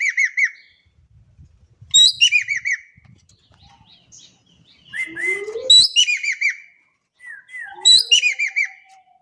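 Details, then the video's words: Javan kingfisher, Indonesia, calling repeatedly: four loud bursts of harsh, rapid, down-curved notes about every two seconds, with soft rising whistles and faint rustling between them. "EKEK KELING GACOR DAHSYAT"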